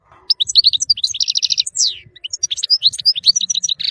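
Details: European goldfinch singing a lively, energetic song used as a tutor recording for songbirds: rapid tinkling twitters and liquid chirps, a fast buzzy trill, a descending slurred note, then more jumbled twittering ending in a harsh buzzy note.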